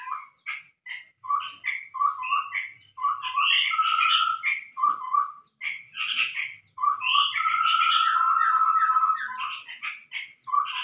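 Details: Chestnut-rumped babbler lure call: quick runs of hollow, mid-pitched notes, about three per second, broken by long, level whistles and chattering bursts.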